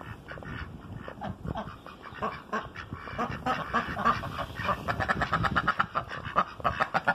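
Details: A noisy group of ducks calling together, with rapid overlapping nasal quacks that grow denser and louder toward the end, several birds at once.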